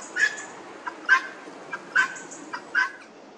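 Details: Four sharp, high, squeaky notes from helmeted guineafowl in a Northamptonshire churchyard, about one every 0.8 seconds, each followed by a faint softer click, against quiet surroundings.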